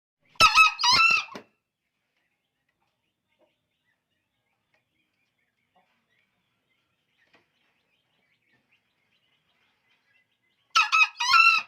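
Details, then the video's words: Green junglefowl, described as very vocal, giving two short harsh crows, one at the start and one at the end, each about a second long with three quick buzzy, harmonic syllables, separated by ten seconds of silence. "ayam hutan super gacor"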